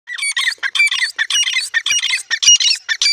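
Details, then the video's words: Grey francolin, locally called teetar, giving a fast run of loud, harsh, squawky notes packed closely together over about three seconds, each note scratchy and broad, with no other clear sounds. "pheasant beaubtiful awaz grey francolin bird ka new awaz"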